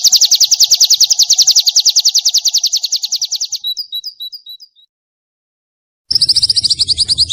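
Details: Nembak-style white-eye training song for caged birds, clear and long, with kunti, wit wit and kenari elements: a rapid, regular high trill that trails off into a few rising flicks, silence, then a fresh burst.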